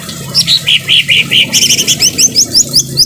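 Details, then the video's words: Harsh-voiced greater green leafbird training song mixed with rain sounds: a few rounded slurred notes, then a fast run of sharp rising chips repeated about five per second over a low steady background hiss. "Masteran cucak ijo suara kasar dan suara air hujan"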